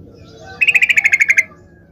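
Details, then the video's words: Yellow-vented bulbul's gacor song, used to goad other bulbuls into angry answers: a quick, even rattle of about ten bright clipped notes in under a second over a low steady background hum. "TOP SUARA trucukan gacor seperti ini dijamin bikin trucuk manapun nyaut emosi ngamuk"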